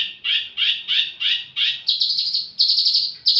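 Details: ['Wambi mini bird singing as lure audio for tledekan: loud, harsh rising chirps about three per second, then quicker buzzy trilled notes, over a faint low hum.']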